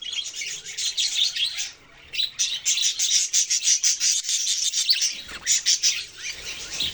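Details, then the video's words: Budgerigars chirping: steady, fast, scratchy high chatter that drops out briefly near the two-second mark, then resumes in pulsing bursts. "parrot chirping sounds"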